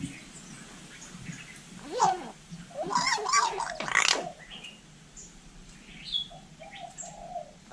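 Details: Talking hill myna from Vietnam copying human speech: loud, rasping, voice-like bursts in the middle, followed by softer arched whistles and a few high chirps later on.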